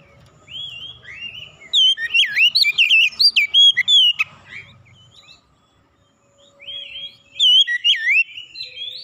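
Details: Oriental magpie-robin singing a hot provoking song to stir a rival to sing: rapid clusters of looping, rising and falling whistles in a dense two-second burst, a silent gap, then another whistled run.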